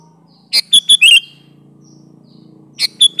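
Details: Lively kutilang (Sooty-headed bulbul) song with wild-type variations, used to lure other bulbuls: one full phrase of a chirp, two bright whistled notes and a warbled slur, then a second phrase beginning, over a faint low hum.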